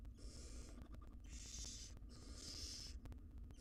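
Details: Wild barn owl family in a nest box, mother feeding nestlings: drawn-out, noisy hisses of about half a second each, coming back to back with short gaps, over a low humming background.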